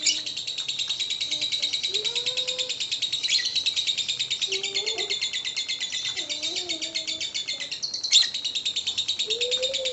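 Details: Lovebird ngekek song, recorded as lure audio: a long, steady, high chattering trill, with soft lower whistles from other birds underneath and a sharp squeak near the end.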